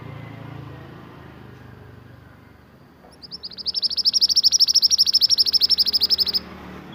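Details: Pied bushchat, a native Indonesian bird, singing actively as a tutor recording for training caged songbirds: a quiet start, then a steady three-second trill of rapid, evenly spaced high, sharp notes over low background hum.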